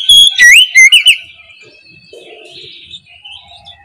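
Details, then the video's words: Oriental magpie-robin in a morning lure song meant to make idle birds sing: a few loud clear whistles and a swooping slurred phrase, fading into faint high warbling. "KICAU PANCINGAN KACER NGEPLONG DI PAGI HARI, BUAT PANCINGAN KACER Malas bunyi supaya LEKAS NYAUT!"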